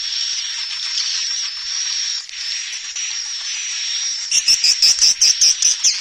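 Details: Swiftlet calling and roosting sound mix in stereo: a steady high buzzy chatter with a thin whistle, then rapid, evenly spaced sharp clicking chirps, about eight in under two seconds.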